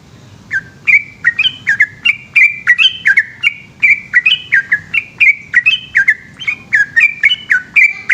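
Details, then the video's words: Yellow-vented bulbul singing a long rapid 'ropel' song at night: quick chirpy notes, each sliding sharply downward, tumble one after another in an unbroken run, with no other sounds. "burung trucukan gacor ropel panjang dimalam hari"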